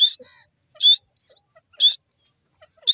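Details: Grey francolin, locally called dakhni teetar, giving shrill, rising whistled notes, short and loud, repeated roughly once a second, with faint soft chirps in the gaps between them.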